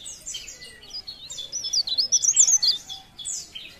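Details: High-pitched warbling from a leaf warbler, a run of rapid wavy whistles and thin chips that gathers into a dense, quivering burst midway before fading.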